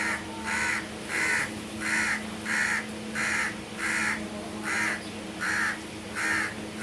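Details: Crow giving a steady run of eleven harsh, hoarse caws, one roughly every 0.6 seconds at an even pace, each caw short and raspy, over a faint constant low hum in the background.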